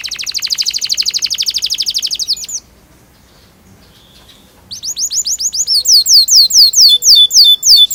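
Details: Long canary song with rolling trills, played to train young canaries to sing: a fast high buzzy trill lasting over two seconds, a quiet pause, then a run of sharp upswept whistled notes repeated rapidly.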